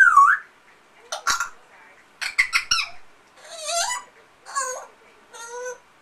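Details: Pet African grey parrot imitating an amazon parrot and coughing: sharp clicks and squeaks, hoarse speech-like bursts, then wavering harmonic squawks and falling calls, in an indoor room.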